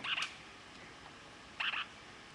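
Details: A male pet lineolated parakeet gives two brief, high, squeaky talking phrases, such as "what should I name him", about one and a half seconds apart over a faint room hiss.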